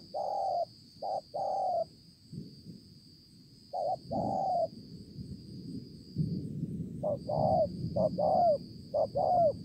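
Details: A spotted dove, a 'bổi' or wild-caught bird with a showy spotted collar, recorded at Konlong on 5 September 2020. It gives scattered low hollow coos with gaps between them, then a quicker closing run of short and long notes, over rustling background noise and a steady high tone.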